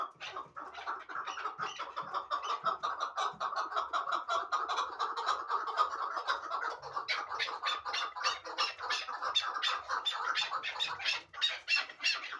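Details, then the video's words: Long, dense run of chattering chuck notes from a hybrid partridge used for fighting and hunting, nearly three a second, building into a continuous rattling chorus. "Кабки Гибрид"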